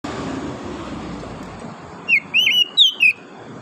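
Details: Wild oriental magpie-robin in forest, morning: about one second of loud clear whistled notes, several slurred and dipping, in quick succession after a quiet stretch of steady low background hiss and distant rumble.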